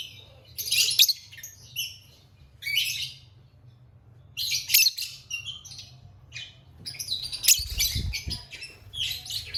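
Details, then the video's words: A lovebird chirping busily: sharp, shrill, twittering bursts in irregular bouts, with a dull thump near the end and a constant low hum. "Lovebird Singing & Chirping Sounds"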